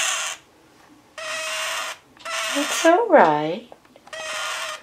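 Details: Distressed male scarlet-chested parakeet kept indoors with his mate cries in harsh buzzy rasping bursts roughly every second, while a woman repeats "who's a pretty boy" to calm him.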